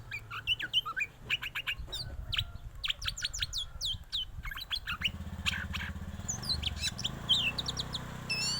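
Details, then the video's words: White-rumped shama singing as it sways, a varied run of sharp, rapid whistled and chirping notes, some sliding up or down, in quick bursts; a steady low hum sits underneath throughout. "burung kacer bersuara merdu dan bergoyang"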